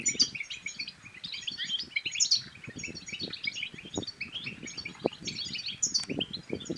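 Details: European goldfinch song meant to excite males and get quiet goldfinches singing: continuous bright twittering with chirpy, buzzy notes and a few high sharp accents, and scattered soft low taps beneath.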